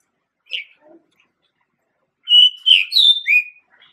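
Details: Male pied bushchat giving a single high chip, then after a pause a quick phrase of four clear, slurred whistled notes, the last dropping slightly, in quiet surroundings.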